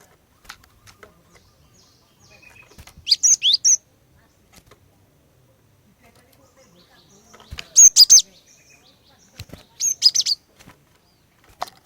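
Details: Female Cinereous tit used to draw males into song, giving three separate bursts of sharp, high chirps, each three or four notes long, with quiet gaps and a few faint clicks between them.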